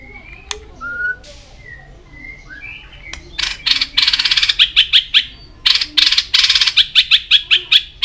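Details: White-rumped shama training song for fast, varied singing: a few clear gliding whistles at first, then a rapid run of sharp, high, clicking chatter notes repeated in quick bursts.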